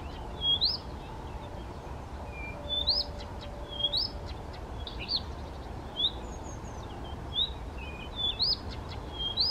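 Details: Male Blyth's reed warbler singing spontaneously, without playback, at Bukovský pond near Těchařovice, Czech Republic, 19 June 2014, first national record: clear whistled upslurred notes and short chirps, spaced with pauses, steady low background rumble.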